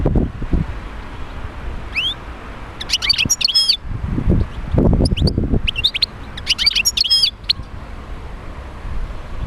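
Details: European goldfinch song for prompting other goldfinches to sing, with a rising whistle followed by bursts of rapid high twitters between three and seven seconds, separated by loud low thumping noises.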